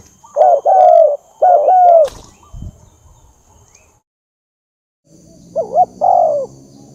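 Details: Spotted dove lure call: two paired coo phrases with falling hoots, a sharp knock and brief silence, then one more wavering double note and long hoot over low background hum.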